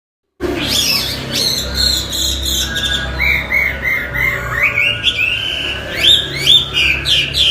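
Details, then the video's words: Chinese hwamei (wambi) in vigorous full song, a bird-training recording: loud clear whistles sliding up and down, then a run of short repeated chirping notes and rising slurred phrases, over a low steady hum. "Hwamey Wambi gacor isian istimewa"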